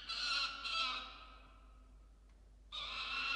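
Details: A peregrine falcon guards its musk lorikeet prey in a nest box at dawn, 27 December 2022. Two rasping, drawn-out screams run almost together, then a quiet gap before another harsh scream begins.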